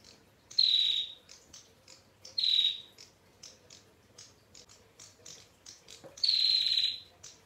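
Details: A female bar-winged prinia gives a clear, long ngetir song. Three buzzy, rasping high notes are interspersed with many short, sharp high ticks, and the final note is the longest.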